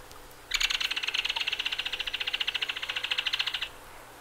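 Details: Belted Kingfisher delivering a sustained rattle, roughly three seconds of rapid, harsh, evenly pulsed notes at steady volume, ending cleanly against faint hiss.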